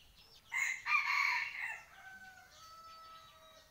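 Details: Rooster crowing at home: one loud, harsh, broadband crow lasting about a second and a half, then a quieter drawn-out tonal tail fading away, with faint bird chirps in the background.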